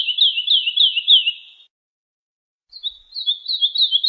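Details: Lark song meant to teach chicks: a quick flowing run of slurred high chirps lasting over a second and a half, silence, then a short lead note and another lively stream of repeated chirps.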